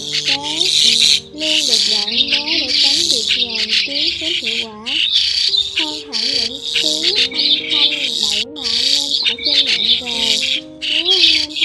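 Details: A busy flock of migrating white-headed starlings, recorded October 2020, gives harsh rasping squawks mixed with bending whistled notes, overlapping constantly with brief pauses between bursts.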